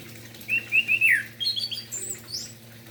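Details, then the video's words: Morning song of an orange-headed thrush in full voice, meant to rouse quiet thrushes to sing; a run of four short whistled notes, then fast rising and falling warbled phrases climbing higher, with a faint low hum behind. "Anis merah Gacor Pagi hari - Merangsang emosi dan Birahi Anis Merah"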